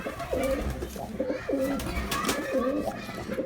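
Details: Male Girabaj pigeon performing, giving a run of soft, low, rounded coos in quick succession, each note swelling and falling, with faint background clatter.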